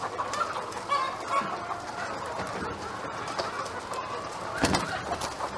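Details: Chickens in a backyard cluck continuously in a busy, overlapping chorus of short notes, with one louder sharp burst near the end, all over steady outdoor noise.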